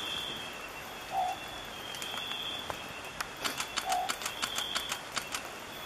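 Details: Long-whiskered Owlet recorded in March 2014 at Fundo Alto Nieva close to Abra Patricia in north Peru. Two brief, soft, low hoots come nearly three seconds apart. A rapid series of dry ticking clicks follows, under a constant high-pitched insect hum.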